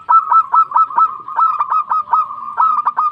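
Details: Active local zebra dove calling out to others with a quick, steady string of bright cooing notes on a single pitch, some clipped and some drawn out, repeated roughly twice per second.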